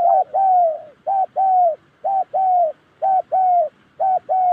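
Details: Spotted dove, a Đồng Ngực Chẻ bird from Gia Lai in Vietnam's Central Highlands, gives loud clear coos. Each pair is a short note followed by a longer, gently drooping one, repeated roughly every second.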